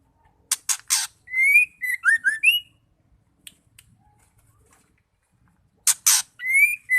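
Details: Call of a female white-rumped shama, used to make male shamas sing. Two rasping bursts, then a rapid series of clear rising whistles; a pause follows, then the rasps and a whistle begin again.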